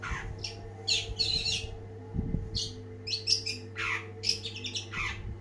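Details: Long-tailed shrike singing energetically: harsh scratchy notes and squawky bursts with brief bright chirps, delivered in irregular clusters, over a steady low hum in the background.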